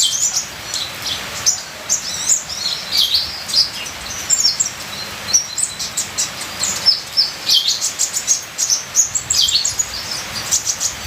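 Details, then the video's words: Long run of high, thin, chattering twitters and tiny chirps from a ninja sunbird, nearly continuous, set against constant rain hiss. "Terapi Suara Kolibri ninja full isian"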